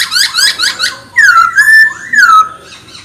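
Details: Chinese hwamei song for provoking other birds: three quick bright notes followed by loud drawn-out whistles that slide down and level off.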